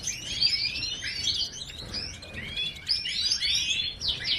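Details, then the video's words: A goldfinch sings a fast, tumbling run of bright twittering notes and thin slurred whistles, high-pitched and nearly continuous, with a faint low background hum. "GOLDFINCH Chirping Sounds"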